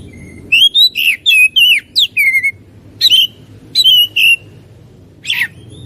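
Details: Loud, varied song of an oriental magpie-robin: clear whistles rise and fall, with some sliding sharply down, in bursts of three or four notes separated by short gaps over a faint low hum.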